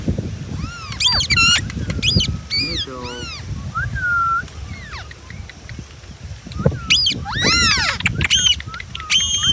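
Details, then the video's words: Ringneck parrots calling: loud harsh screeches and rising-falling whistled squawks in bursts, with chattering notes between and a low background rumble. "Ringneck Parrot Video"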